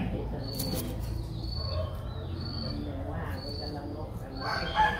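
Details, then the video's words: Streak-eared bulbul nestling, 6 days old, Ubon Ratchathani, Thailand, 8 April 2023, repeating high shrill begging squeaks about once a second amid clicks and low noise, a brief louder sound near the end. "นกปรอดสวน อายุ 6 วัน : Streak-eared Bulbul (Pycnonotus blanfordi)"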